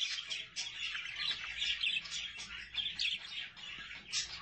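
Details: Budgerigars and their chicks produce uneven bursts of shrill chirps and scratchy twitters that rise and fall in loudness, with brief quieter gaps.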